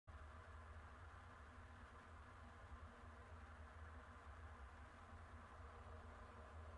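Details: Low steady droning hum beneath faint hiss, with no calls or other animal sounds.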